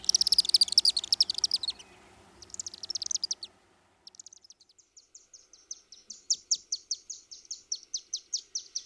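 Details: Chimney Swifts in flight above downtown Osakis in west central Minnesota, June 12: a loud burst of high twittering, a shorter chattering spurt, then evenly spaced sharp chips that gradually grow louder.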